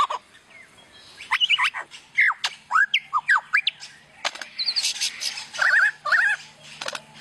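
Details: Lyrebird, a bird of Australian forests known for imitating other sounds, delivering a varied medley of sharp whistled slurs, rising and falling notes and dry clicks, with quieter gaps between bursts.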